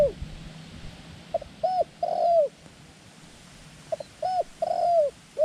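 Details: Small-voiced, white-clawed decoy dove used to lure wild doves in ground trapping gives short clipped notes, then two loud arched coos, pausing and repeating the phrase about two seconds later over a steady low hum.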